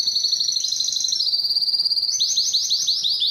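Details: Canary in full song for stimulating singing and breeding: a fine, very fast high trill that slowly drifts lower, then changes into slower, swooping repeated notes about six per second.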